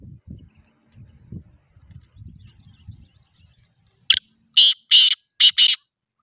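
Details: Black pheasant call: a sharp initial note, then four harsh, grating bursts delivered rapidly and evenly, preceded by low rumbling background noise.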